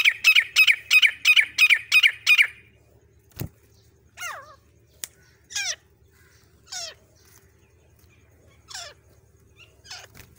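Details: Calling female grey francolin, a sound used to lure birds for hunting: a fast run of about eight repeated squeaky notes, then widely spaced, sharply descending harsh calls with short pauses between them.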